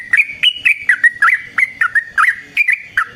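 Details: Long fighting song of a yellow-vented bulbul, played as a lure and training model: a steady stream of rich, warbling chirps with rising and falling slurs, repeated closely without pause.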